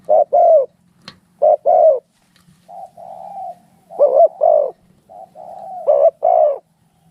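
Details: Spotted doves fighting give loud paired coos, then softer drawn-out level coos run into abrupt stuttered bursts, ending with a loud double coo.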